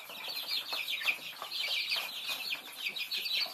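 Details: Thai baby chicks feeding, a flock giving dense, overlapping high-pitched peeps in quick uneven bursts, with short sharp cheeps standing out over the steady chatter.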